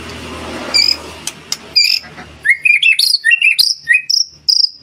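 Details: White-rumped shama master song, used to prompt other caged birds to sing: after a noisy opening, a fast run of high, varied chirps and short whistles follows, closely spaced to the end.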